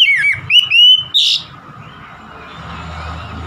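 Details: Oriental magpie-robin song: a brief run of clear whistled notes, some sliding and some falling, lasting about a second, followed by a quiet, steady low hum with no further song.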